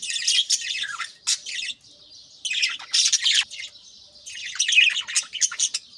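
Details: Captive budgerigars in the early morning, an aviary flock stirring and feeding chicks in nest pots; bursts of dense, scratchy high chirping and warbling alternate with quieter soft chatter.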